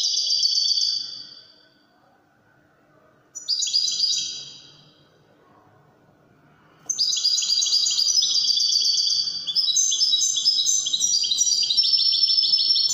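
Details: Wydani-style song of a European goldfinch from Morocco, short bursts of high trilled twitter separated by silences, then an extended rapid warbling run with jingling tones.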